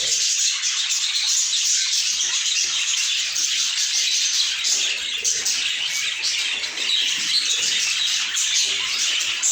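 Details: A large group of budgerigars warbling at once: an unbroken wash of high chirps, twitters and scratchy notes at steady loudness throughout.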